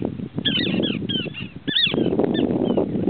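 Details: Small pratincole calls: quick, high, clipped notes that slur downward, coming in rapid bunches, as if several birds call together, against steady low rumbling background noise.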